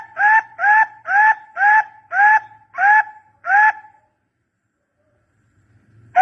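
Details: A barbet gives a steady series of seven hollow, slightly upslurred notes, about three per second. The series stops abruptly, followed by near silence and a faint low rumble.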